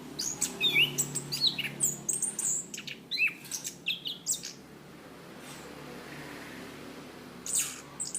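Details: Orange-banded thrush, a songbird kept in cages in Southeast Asia, heard on a training tape: bursts of very high thin notes and short rising whistles for about five seconds, a quieter pause, then a few more high notes.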